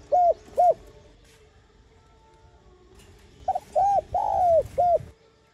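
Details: Spotted dove cooing, used to excite decoy birds into calling. Two short coos open the recording, then after a quiet spell a four-note phrase with one long, falling middle note.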